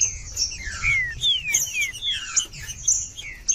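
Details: Green-winged saltator song aimed at warming up quiet birds: a short series of clear whistled notes, each dropping in pitch, interleaved with fainter slurs and high chips, with a persistent high-pitched hiss underneath.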